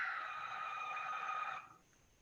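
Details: A Barn Owl gives its loud, piercing screech rather than a hoot: one harsh, hissing screech lasting about a second and a half, then quiet background.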